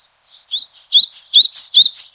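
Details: A yellow-bellied tit, endemic to southeastern China, opens with a faint thin whistle, then gives a quick string of bright, rising high-pitched chirps.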